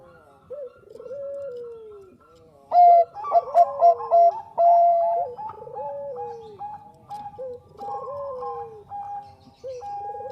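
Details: Bangkok-type zebra dove in full song, used as a lure recording. Soft rolling coos, gliding downward, overlap with stuttering staccato notes and a steady higher held tone. Several doves seem to call together.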